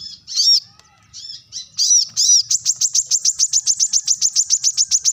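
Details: Brown-throated sunbird giving a sharp call meant to draw rivals: a few high, squeaky, varied notes, then a fast, even trill of about twenty piercing chips near the top of its range, each clearly separated.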